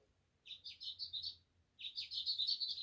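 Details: A House Finch in spring sings two quick runs of bright, jumbled warbling notes, each about a second long, with a short pause between them and a faint low hum underneath.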